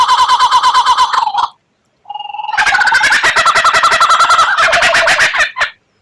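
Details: White-rumped shama giving the rare 'tembakan' song style prized for training birds: a fast pulsing trill ending in a dropping slur, a pause, a flat whistle, then a long dense rattling burst.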